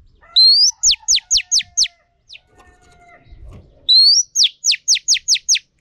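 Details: Bright phrases from a female Oriental magpie-robin used for training males: a rising whistle, then five or six crisp, steeply descending whistled notes in a quick rhythm, the phrase given twice with a quiet gap between.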